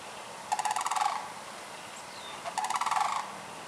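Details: Sandhill cranes in Michigan, March through June, give two rolling rattle calls about two seconds apart. Each is a throaty, pulsing trill lasting under a second, set against a quiet, slightly hissy outdoor background.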